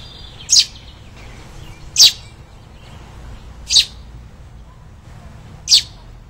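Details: Two American robin nestlings, found fallen with their nest in spring during tree trimming and hand-fed from dawn to night: sharp, very high thin chirps, four separate notes spaced roughly one and a half seconds apart, over quiet background.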